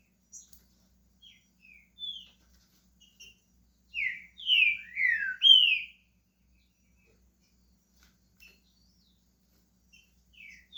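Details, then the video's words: Green-winged saltator from Brazil starting to sing: soft scattered notes, then a burst of four loud, rich downslurred whistles in about two seconds, then near silence with faint chips. "Trinca ferro SHREK começando a cantar"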